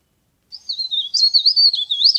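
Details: Leaf warbler lure song: a quick, high-pitched string of slurred, wavering notes running for under two seconds against silence.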